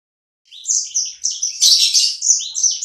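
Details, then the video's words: Small kept bird its owner calls a sanger, described as gacor (singing actively). After a half-second pause, a rapid run of high, sharp chirped and slurred notes follows without a break, growing denser toward the middle. "Burung sanger ku ( sikecil gacor )"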